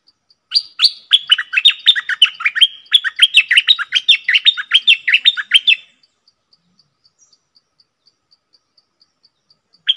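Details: Cream-vented bulbul singing in the double song style, recorded 18 June 2021: a fast run of bubbly, chattering notes that rise and fall, lasting about five seconds, then quiet with faint regular ticking.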